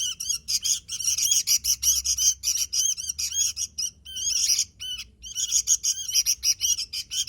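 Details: Energetic sooty-headed bulbul song of fast, bright chirping notes in tight clusters, a brief gap near the middle, then more rapid chirps.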